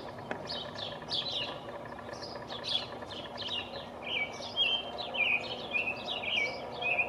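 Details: Perched atop a pine tree, a territorial male American robin delivers rich, whistled song phrases on 5/6/19. The phrases come in a steady, lilting series of rising and falling notes, some slurred downward, over low ambient rumble.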